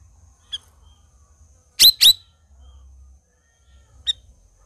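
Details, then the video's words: Black-crested bulbul in busy 'gacor' voice, a loud double chirp of sharp downward-sweeping notes in the middle, framed by two faint single chips before and after, against near silence with a low hum. "SUARA CUCAK RAWIS GACOR"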